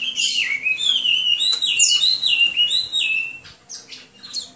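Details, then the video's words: Hwamei delivering loud, fluent whistled song, its notes looping up and down in a lively continuous stream before tapering off. "HWAMEI SINGING"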